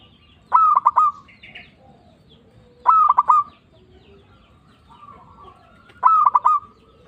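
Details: Local zebra dove in full voice, an Indonesian lure recording meant to excite other doves into answering: three rapid staccato-then-sustained coo phrases roughly every three seconds, faint soft coos between them.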